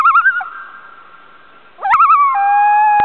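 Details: Loon on Chant Lake near Ely, Minnesota, recorded in August 2006. Two bursts of rapid, quavering tremolo are heard, each several wavering pulses long. The second bursts from a rising swoop and flows into a clear sustained hooting note.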